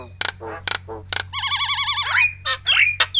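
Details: Nias Hill Myna imitating a siren: abrupt harsh bursts, then a long warbling wavering tone rising and falling rapidly like a siren, followed by sharp rising whistles and squeaks, over a constant low hum.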